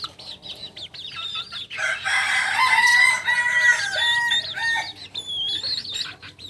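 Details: A Kukuak Balenggek rooster, a singing chicken native to Solok whose crow rises in tiers, notably at dawn, delivers a long, loud harmonic crow broken into several level steps. Thin high bird chirps follow near the end.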